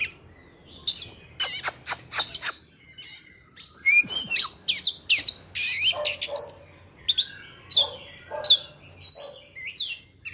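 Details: Wild Oriental magpie-robin singing in forest style, used as a training recording for young birds: a varied run of loud, high whistled phrases, sharp chirps and short slurred notes in irregular bursts, with brief pauses between phrases.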